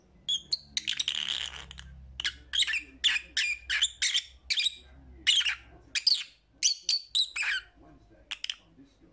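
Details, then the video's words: Rapid, harsh lovebird squawks and chirps in a busy stream of high, buzzy notes, with a low hum underneath during the first half. "Lovebird Sounds"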